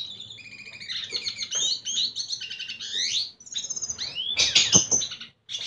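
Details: Red siskin singing in courtship of a female; busy twittering phrases with rapid trills and downward-slurred whistles, a short silence, then a loud harsh burst and final notes.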